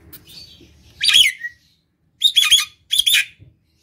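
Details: Nias hill myna in vigorous gacor song, used to lure other mynas: three loud, bright bursts of harsh, ringing notes with a falling whistled tail on the first, separated by short silences.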